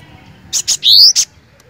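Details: Cinereous tit phrase: two quick bright chips, then a long rising whistled slur and a final chip, loud and clear against low background hum.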